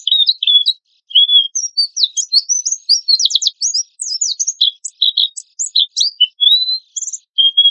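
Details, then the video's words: High-pitched Oriental white-eye lure song: lively, varied twittering mixing quick chirps, short trills and a few drawn-out whistles, delivered almost without pause. Used as tutor material to prompt birds to sing. "PANCINGAN PLECI GACOR TEMBAKAN KASAR"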